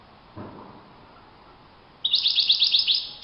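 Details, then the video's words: European goldfinch in the wild: after a quiet start with a faint low thump, a single bright burst of fast, high twittering notes lasts about a second. "chant chardonneret le Roi de la nature"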